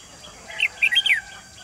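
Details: Red-whiskered bulbul decoy singing at a trap set for wild birds on 28 June 2020, giving one brisk chirpy phrase of four or five slurred notes, the last sweeping downward.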